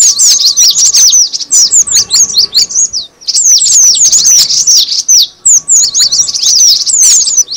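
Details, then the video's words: Cinereous tit lure call: a continuous, busy stream of thin, high, downward-sweeping chirps, many overlapping as if several birds are chattering at once, with only brief dips between bursts. "suara pikat burung gelatik batu"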